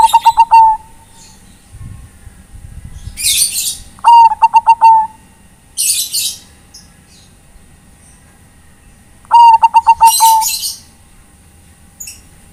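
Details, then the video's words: Calling to companions, a Bangkok-type zebra dove repeats its rapid stuttering coo phrase three times about every four to five seconds, each a run of short clear pulses closing on a longer note, with high twittering chirps between. "MASTERAN BURUNG PERKUTUT, ( Bangkok ) memanggil kawan"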